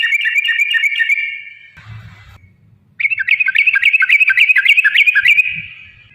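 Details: Yellow-vented bulbul song used to provoke rivals into singing and fighting: a sustained warbling whistle, a short pause with low rumble, then a long fast series of rising and falling whistled notes that fades out.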